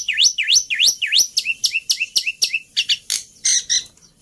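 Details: Black-winged myna singing as a lure for mynas that have gone quiet: four loud V-shaped swooping whistles, then short rising chirps alternating with harsh clicks, ending in scratchy high chatter.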